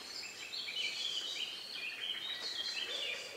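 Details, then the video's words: Several birds, among the last to sing in the countryside a few minutes before nightfall, around 9 p.m. on May 2, 2020, recorded outdoors with an ORTF microphone pair. Faint, overlapping high chirps and twittering phrases run continuously over a soft background hiss. "relax sound of bird in the evening"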